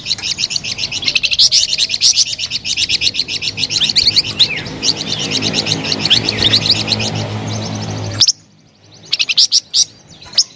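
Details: Dense high chirping and twittering from a melodious flamboyan bird over a low background hum. The sound cuts out abruptly at eight seconds, leaving a few scattered sharp notes.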